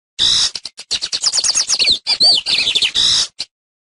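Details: Bengalí or lined seedeater teaching song: one continuous phrase of fast, scratchy high chirps and swooping whistled notes lasting about three seconds, ending abruptly.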